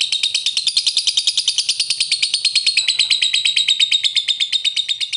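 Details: Lovebird ngekek chattering, a long trill used as a lure to make other lovebirds respond: a continuous fast, shrill, rattling run of about three notes per second, held steadily for over five seconds.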